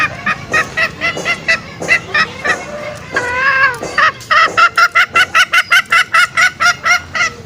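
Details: Green junglefowl trapping lure call aimed at drawing out males: spaced harmonic clucks, one longer drawn note near the middle, then a fast regular run of short notes.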